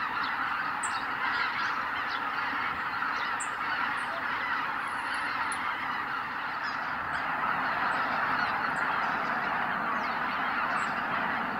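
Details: Greater white-fronted geese flying out from their roost at sunrise at Kabukuri-numa, Miyagi, Japan: a dense, continuous chorus of overlapping honking calls with a roaring rush of many wingbeats.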